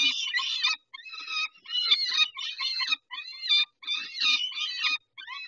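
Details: Peregrine falcons at Dobra during a feeding at 11:48 on 19-05-21: harsh, grating, broadband cries come in bursts of under a second, separated by short silences.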